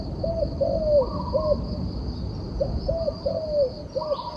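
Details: Turtle dove cooing in two repeated phrases: clipped low notes then a drawn-out falling coo, with a higher short call between bouts and a continuous high-pitched hum behind.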